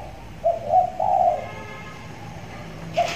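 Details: Young trained spotted dove, six months old, kept tethered in a hanging cage and starting to call often: a short low coo followed by a longer rolling coo, then one brief coo near the end.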